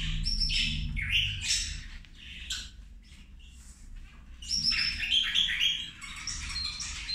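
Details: Zebra finches at lunchtime, several birds calling while feeding: dense, overlapping nasal chirps and short buzzy squawks, busiest in the first and last seconds, with a quieter gap in the middle and a low steady hum underneath.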